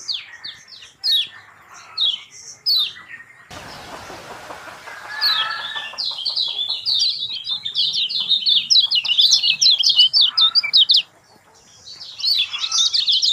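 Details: Kecial kuning (lemon-bellied white-eye) lure song meant to coax a mute bird into singing: short separated high chirps, a burst of broadband noise, then a long rapid tumbling twitter that breaks off and resumes.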